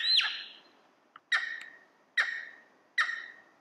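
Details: Cheer pheasant on a cold, quiet early morning in a forested hill valley gives four loud, harsh, ringing calls about a second apart, each dying away in an echoing tail; nothing else is heard.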